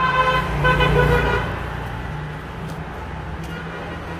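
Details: Road traffic with engine rumble and a car horn sounding briefly near the start, then steady vehicle noise; no animal voice stands out.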